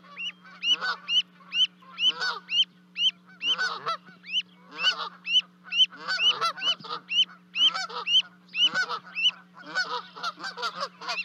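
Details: Canada goose family at Charlo, Montana, 12 May 2020, two goslings jumping from a 30-foot-high nest to join the adults: long run of sharp arched honks, roughly two per second, crowding together toward the end over a low hum.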